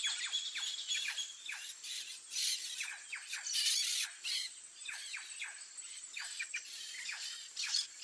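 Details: White-tailed jay, a bird of Ecuador and Peru, giving bursts of sharp, squealing, downward-slurred calls in quick series, some overlapping, with pauses between bursts, over a steady high insect hum.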